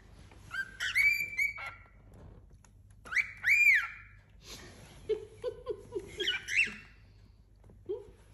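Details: A tame pet cockatiel about four months old, newly paired with a companion bird indoors, gives arching whistled calls in bursts, followed by softer, lower repeated notes and further chirps.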